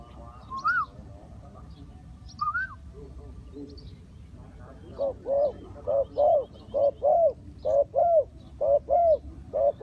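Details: Spotted dove used as a decoy in bird trapping, giving a steady run of low, hollow, arched coos about one per second in the second half, preceded by a few higher rising whistled notes from another bird and low background rumble.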